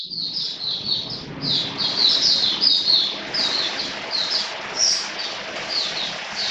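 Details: Caged Oriental white-eye (mata puteh) singing during wet rainy weather, kept for bird hobby training: a continuous run of high, thin chirping notes, rapid twittering phrases around 95 per minute, with faint low background rumble.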